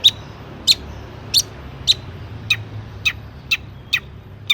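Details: Long-tailed shrike in full song, used to prompt other shrikes to sing: sharp, short high notes spaced about every half second, some with a lower second note, over a soft low hum.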